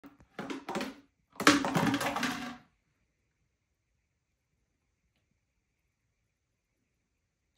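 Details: Einstein, a talkative pet African grey parrot hatched June 1997 and kept at home in Texas, gives two short bursts of speech-like chatter indoors, the second longer and fuller, followed by silence.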